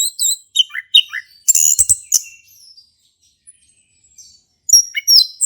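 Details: Male orange-headed thrush singing in the ngeplong style, played to encourage a silent thrush: quick downslurred whistles and a loud buzzy burst, then over a second of near silence before high chirps resume.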